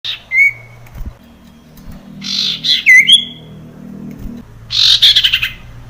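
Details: Male sirtu singing to press a rival: clear whistled notes, some sliding and some sharply chirped, given in separate bursts with short pauses, ending in a fast series of buzzy notes, over a low steady hum.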